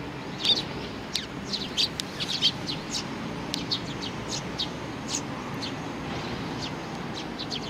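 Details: Sparrows with a chick, recorded 3 July 2019: loud clustered chirps early, thinning to scattered single tweets later, all high and brief, over mild outdoor hiss.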